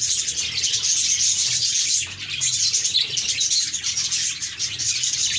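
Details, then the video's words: Cheerful budgies produce a constant stream of high twittering and whistled chirps, the chatter dipping slightly around the second and fifth seconds before building again. "Budgies Chirping"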